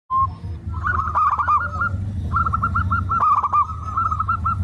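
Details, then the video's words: Zebra dove cooing in rapid staccato runs of short, rolling notes at a mid pitch, with a brief lead-in coo, then two bursts separated by a short pause, over a steady low rumbling background. "burung perkutut"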